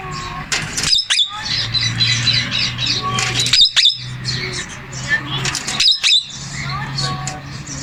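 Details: Talking male Indian ringneck parakeet giving harsh squawks and raspy, speech-like bursts every second or two, with brief clicks and chirps between, over a constant low hum.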